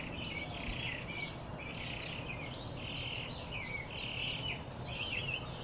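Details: A Blue-throated flycatcher, field-recorded in Arizona, sings high, sweet warbled phrases, one after another at about one per second, over a steady low rumble of background noise.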